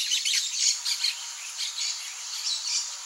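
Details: Free-living blaze-winged parakeets giving a dense stream of rasping, high-pitched screeches and chatter, steady in loudness throughout.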